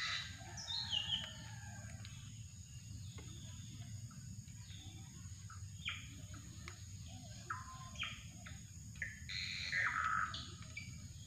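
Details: Drongo calls recorded for bird luring: short high chirps, abrupt metallic notes and descending whistled slurs scattered irregularly over steady low background hum and faint insect noise.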